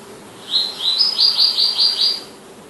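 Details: Palestine sunbird delivering a rapid high trill of about eight bright, upslurred notes in just under two seconds, each note sharp and tinny, over faint background hiss.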